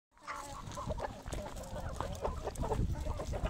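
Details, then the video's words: Domestic chickens at feeding time, a busy flock giving short overlapping clucks and murmurs with some scratching and pecking noises underneath. "Τime for food , happy moment for our poultry"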